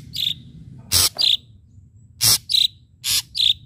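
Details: Ashy drongo in full active song with sharp strikes: harsh rasping bursts alternate irregularly with short, clear, high whistled notes over a quiet low background.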